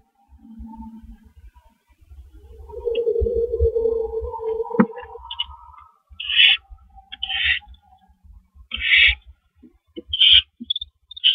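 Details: Owls on a porch at night, 3:16 AM on 19 April 2012, with two on the porch and one at the door. A low, wavering hum-like tone gives way to repeated short, raspy, hissing screeches every second or so.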